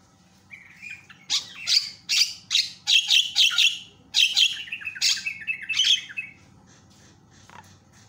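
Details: Javan myna, a loud-calling bird used to provoke other mynas into calling: harsh, noisy squawks and chattering bursts in a rapid series for about five seconds, then fading to quiet with one brief final note.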